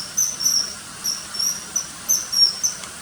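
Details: Common kingfisher: piercing, very high whistled notes in quick succession, several a second, sharp and slightly trilled, over faint steady hiss.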